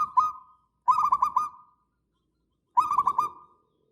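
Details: Singing local zebra dove from Indonesia, a lure and tutor song: three phrases of fast rolling coos, each a ripple of about five mellow notes with a lingering fade, spaced by pauses.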